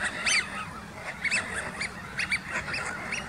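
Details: A flock of Eurasian wigeon gathering together, giving many overlapping whistled, rising-and-falling calls in quick irregular succession over a steady background hiss.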